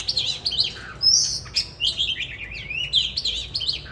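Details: 'Than già rừng' singing from a bird, winter 2023: a rapid stream of high, warbling, zigzagging notes, one bright drawn-out whistle near the middle, and quick chattering phrases throughout.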